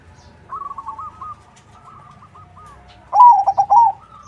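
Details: Zebra dove song in crossing style, used to coax other doves into answering: quieter repeated coos first, then one loud rolling five-note coo phrase near the end.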